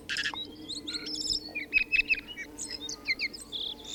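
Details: Tui song: a rapid, varied string of short whistled notes, sharp clicks and buzzy high bursts, with several clear steady whistles near the middle, then more chattering fragments. A faint low hum runs underneath.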